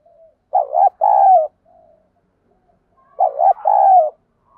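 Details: Spotted dove calling in the 'thổ bầu' voice, a call used with a decoy to lure wild doves and incite fighting; two low coo phrases about two and a half seconds apart, each short note leading into a longer one.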